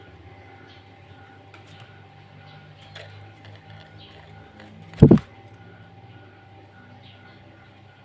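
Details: Low electrical hum fills an indoor room, broken once by a single loud thump, with no animal voice.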